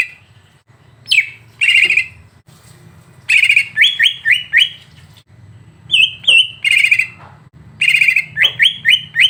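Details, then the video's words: Lively greater green leafbird song for provoking a caged bird: buzzy chattering trills alternating with runs of four or five quick upslurred whistles and some high thin notes, steady low hum beneath. "Masteran untuk cucak ijo biar terpancing emosi"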